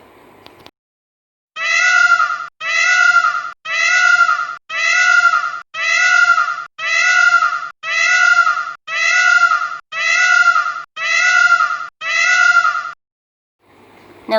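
Peacock giving a loud, nasal, cat-like wail, about one second long. It repeats about eleven times, one each second, with short silences between.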